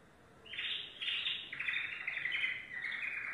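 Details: Yellow domestic canary running through a series of rolling trill phrases, each changing pitch and texture about every half second, loud and continuous.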